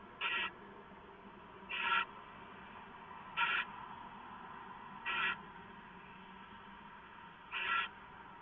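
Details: Owl on a live nest camera getting leftovers, 15 March 2014 at 6:04 AM; five repeated harsh hissing screeches, each brief, arriving every one and a half to two seconds.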